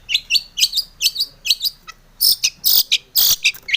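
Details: Long-tailed shrike singing energetically, a lure recording to make other shrikes sing; varied scratchy chattering notes in quick bursts, with harsher buzzy blasts in the second half.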